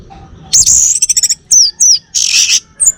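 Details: From Bali, a male orange-headed thrush sings a rapid pulsing trill, then two downslurred whistles and a rough buzzy rasp, closing with a short high note.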